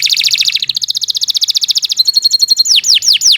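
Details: Canary kept as a song tutor for young birds, delivering fast repeated buzzy trill units, shifting to a steady high rolling trill, then ending with loud downward-swept whistled notes.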